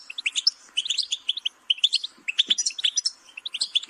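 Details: Goldfinch twitter in jangling bursts of high, liquid notes, phrases repeated roughly every half second with a faint thump partway.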